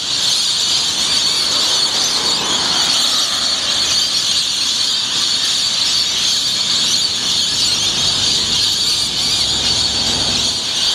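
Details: Rainbow lorikeets in their thousands at Yeppoon Main Beach, Australia, at dawn on 1 June 2013, putting on a noisy display with aerial acrobatics; a dense, continuous wall of shrill, high screeching chatter runs without pause.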